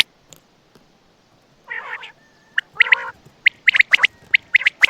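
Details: Red-whiskered bulbul from Quảng Nam, Đại Quang area, Vietnam, a kept songbird: a continuous run of bright, chattering warbled phrases with quick notes tumbling over one another for the whole stretch, with a faint low hum underneath.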